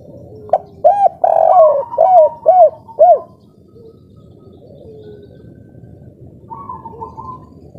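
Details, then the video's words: Local spotted dove, in breeding condition, singing the kuk 3 style: a purring lead-in and five hollow, arched coos in the first three seconds, then softer distant cooing and a faint trill. "Derkuku kuk3 lokal gacor ngamuk suara edan full birahi"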